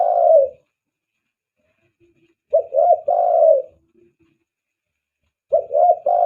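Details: Spotted dove cooing as a lure to attract doves: a long coo ending one phrase, then phrases of short coos followed by a longer drawn note, repeated about every three seconds.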